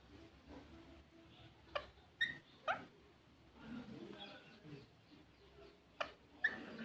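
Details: Green parrot letting out a few sharp, sudden squawks and brief chirps, spaced irregularly with quiet gaps between, plus faint low murmuring in the background.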